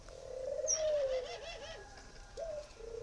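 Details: Spotted dove from northern Vietnam cooing: low, soft, wavering coo notes with a drawn-out falling phrase, then short coos, over quiet background hiss.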